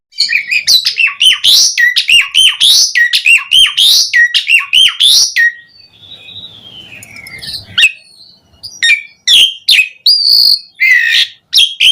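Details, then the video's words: Javan pied starling singing energetically to make other starlings sing: a fast rattling series of sharp chirps, a long whistled glide falling gently in pitch, then loud squeaky and buzzy phrases. "Suara Kicau Jalak Suren Gacor Mompa buat Pancingan OCEHAN semua Burung Jalak Agar Gacor Full Isian"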